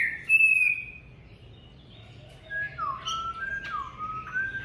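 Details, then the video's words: Caged Chinese hwamei singing indoors on a freezing day, plumage not yet complete; sparse clear whistled notes, a long steady tone then short sliding phrases separated by pauses. "Chú Hoạ Mi hót ngày rét đậm"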